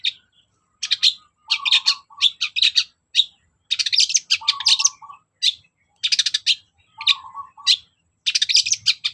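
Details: Long-tailed shrike singing as a lure to prompt quiet shrikes to sing: quick series of harsh, buzzy chattering bursts repeated in rapid runs, interspersed with lower nasal droning notes, fairly loud and continuous over several seconds.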